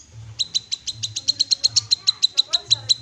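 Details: Unbroken run of about sixteen crisp, evenly spaced high chips from an untrained Black-capped babbler (cucak kinoi), rapid and steady, with a soft low hum underneath.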